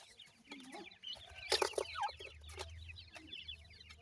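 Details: Grey francolin chicks peeping in a busy flock, thin high notes tumbling over one another above a low hum, with a burst of rattling noise near the middle.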